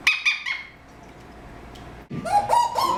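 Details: A 13-year-old male green Eclectus parrot, adopted a month ago, gives three quick, high, ringing chirps, falls silent, then breaks into lower, voice-like phrases that rise and wobble like mimicked speech; he says hello, wow, huh and aaaw.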